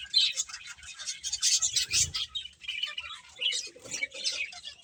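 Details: Finches chirping while eating, with short high tweets and bursts coming in uneven clusters, quieter gaps between them and faint low knocking underneath.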